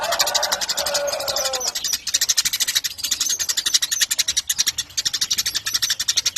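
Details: Eurasian tree sparrow in extended chatter. A brief lower, sliding warble comes first, followed by a steady stream of rapid, shrill, ticking pulses that carry on to the end.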